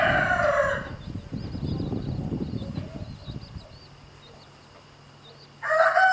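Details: Domestic rooster harassing a mother hen and her chicks as she shows them to drink; a crow fades at the start, faint high chick peeps and scratching follow, then a new loud crow starts at the end.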